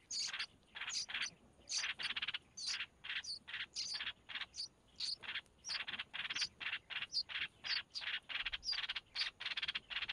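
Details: Chicks of a red-whiskered bulbul begging as the mother feeds them, with regular short raspy bursts several per second. Each is tipped with a high squeaky note, and the series continues steadily.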